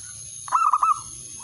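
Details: Male zebra dove calling a rival: one short phrase of three or four soft, rolling coos over a faint steady high whine.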